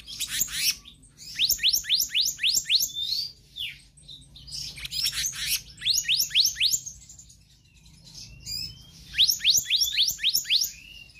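Black-naped Monarch giving bursts of six to eight sharp, high, quickly repeated whistled notes, each burst a few seconds apart, with faint background hum.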